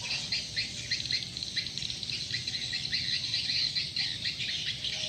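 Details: Swiftlet lure call: a lively chorus of short, bright chirps repeated rapidly, two to three each second, overlapping throughout, with a low electrical hum in the background.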